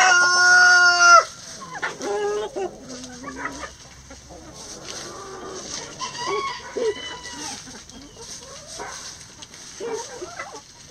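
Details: Rooster crows as backyard chickens forage through pine needles and leaves for bugs, worms and pecans: one loud, sustained crow opens, followed by scattered soft clucks and short calls from the feeding flock.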